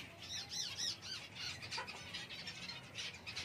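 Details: Java sparrow giving a rapid run of short, high chirping and squawky notes, some paired, several per second, with light background hiss.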